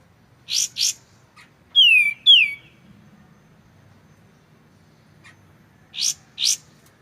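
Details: White-shouldered triller recorded clearly with pauses to tutor magpie-robins: a pair of buzzy upswept notes, two descending whistles, a long quiet gap, then another buzzy pair.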